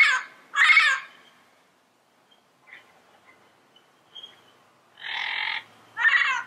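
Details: Free-living yellow-headed parrot giving a pair of short harsh squawks, a quiet gap with faint distant chirps, then two more raspy squawks, the third flatter and buzzier than the rest.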